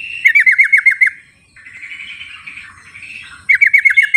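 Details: Yellow-vented bulbul in the wild, recorded as a calling lure for birds that will not sing. Quick runs of about six bright, bouncing notes open and close the clip, with softer warbling in between.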